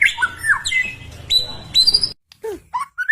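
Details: White-rumped shama song played to stir caged birds to sing: rich slurred whistles and harsher squawky notes over a rough, noisy background, then a brief gap before a few downslurred and rising notes.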